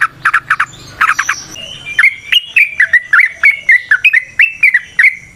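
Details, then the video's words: Yellow-vented bulbul sung as a lure. A few harsh chattering bursts lead into a fast run of clear, bubbly whistled notes that rise and fall, repeated rapidly. "Trucukan GACOR ngalas ROPEL PANJANG suara alam AMPUH buat pancingan"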